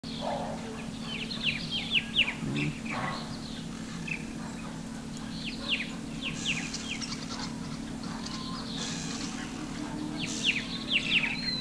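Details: A Green-backed tit in South Asia, flushing insects from shrubs and feeding on the ground, gives bright, chirpy downward-sliding notes in quick clusters of three to five every second or two, over a steady low mechanical hum.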